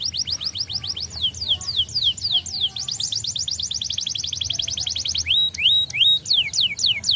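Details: Canary song for stimulating other canaries: long runs of rapid, evenly repeated descending whistles change speed between phrases, ending in a few sharp high whistled notes.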